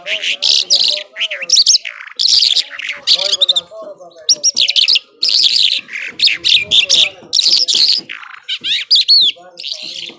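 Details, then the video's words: Top-class Irani Mashadi jhal skylark in powerful nonstop song, loud bursts of high buzzy trills and rising whistled slurs in quick phrases with short silences between them. "Nonstop Singing Jhal"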